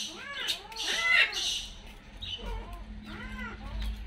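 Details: Wheezy, harmonic, arching cries of a Brahminy kite in quick succession, then a short pause and another run of softer mewing notes, with a steady low hum and faint rumbling behind.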